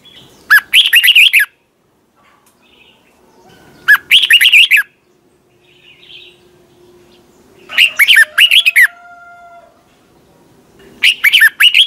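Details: Red-whiskered bulbul singing morning competition song in the twisting-voice style, used to train other bulbuls: four loud, rich warbled phrases of about a second each, rising and falling, repeated roughly every three and a half seconds over a quiet background.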